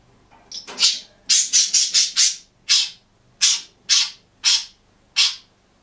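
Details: Solitary caged green budgerigar chatters with a run of rapid, scratchy high notes, then slower single rasps about every half second.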